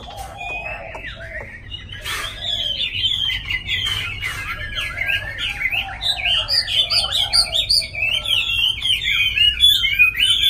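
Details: Song of a tame Chinese hwamei kept in a cage in Hanoi, Vietnam: a dense stream of high whistled notes and trills growing louder toward the end, over background clatter and faint noise.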